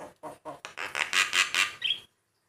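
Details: Male white-eyed Javan myna in lively song, with variations meant to make other mynas respond. A few low harsh notes build into louder raspy squawks, ending in a short higher whistle.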